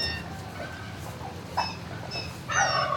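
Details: Turkey inside a barn, recorded 26 March 2019 around midday: a short harmonic note near 1.6 seconds, then a louder, rising, buzzy call at the end, over steady low barn hum with faint high chirps.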